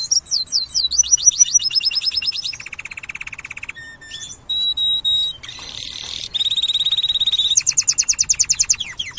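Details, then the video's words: Singing canary delivering a long varied song: rapid repeated trills at changing pitches, buzzy rolls, steady pure whistles and a harsh rasping passage, each section repeated in fast even pulses before switching to the next. "Κελάηδημα καναρινιου. Canary singing"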